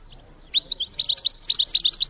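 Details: Female European goldfinch call used to stimulate males to mate: after brief quiet, a fast, even string of bright, high, liquid twittered notes runs to the end.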